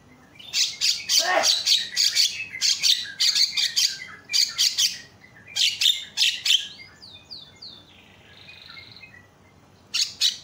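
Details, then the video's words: Javan myna lure calls meant to make other mynas start calling: loud harsh rasping squawks in broken bursts, a short pause with faint squeaky notes, then another burst at the end. "pancing bunyi jalak kebo teriak"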